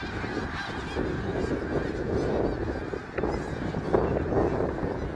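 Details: Snow geese at Middle Creek Wildlife Area on March 3, 2022 produce a constant clamour of nasal honks, overlapping densely, with a couple of sharper close calls near the end.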